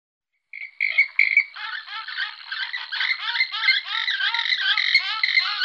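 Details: Western swamphen (Porphyrio porphyrio), an Iberian bird, gives a rapid chuckling series of nasal, harmonic-rich notes. It opens with two loud hoots, then runs into a continuous bubbling chatter lasting about five seconds.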